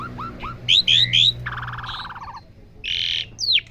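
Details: Asian pied starling being taught sounds, mixing rising whistled chirps, quick clear slurred notes, a harsh rattling buzz, a loud broad grating note and a final down-slurred whistle, over faint low hum.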